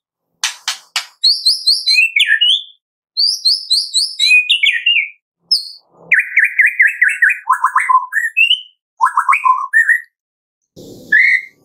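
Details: White-rumped shama 'tembakan' bursts in the afternoon, intended to prompt singing: repeated high rippling phrases that drop to slurred whistles, a flat buzzy trill, then clear rising notes in short groups, with a soft thump near the end.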